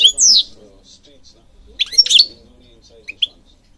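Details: European goldfinch giving a few short, sharp chirps: a bright descending twitter at the start, a louder cluster of clipped notes in the middle, and two quick high chips near the end, with quiet pauses between.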